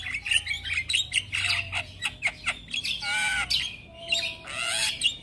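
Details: Chatter from a young Javan myna kept as a training bird: raspy squawks mixed with brief whistles and wheezy rising notes, tumbling out in uneven clusters with short gaps.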